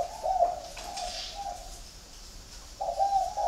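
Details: Spotted dove from a flock kept at a bird garden in Ba Vì, Hanoi, Vietnam: a short low, hollow coo opens the recording, followed by a quiet pause, then a longer bubbling coo near the end.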